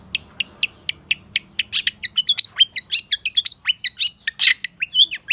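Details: Long-tailed shrike in energetic full-isian song with mimicked phrases: evenly spaced high chirps build into a dense run of whistles, twitters and slurred notes, nearly two a second.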